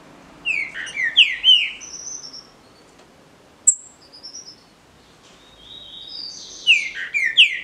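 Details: Green-winged saltator, a captive bird in a singing dispute, delivering two bursts of clear, rolling whistled notes, each phrase a fast cluster of downward-slurred syllables, separated by a pause of a few seconds.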